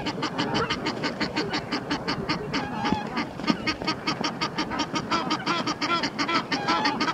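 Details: Two male Egyptian geese fight on the Round Pond while a mate shouts encouragement: a nonstop harsh honking chorus, rapid grating notes about three a second, with higher hoarse squeaks mixed in.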